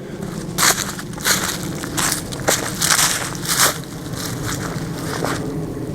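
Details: Crunching footsteps on dry leaves and gravel, about one every second, with a low steady background rumble and no animal voices.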